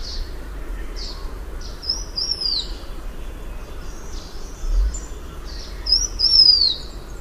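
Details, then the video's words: Blue-winged minla whistling two clear, high phrases of slurred notes falling in pitch, separated by about four seconds, with brief chirps of other birds and low steady noise. "Tiếng chim khướu lùn cánh xanh, นกศิวะปีกสีฟ้า"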